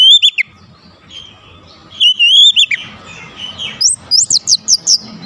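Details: Song of an oriental magpie-robin used to provoke others: a few whistled slurs, then a series of about seven sharp rising notes repeated quickly.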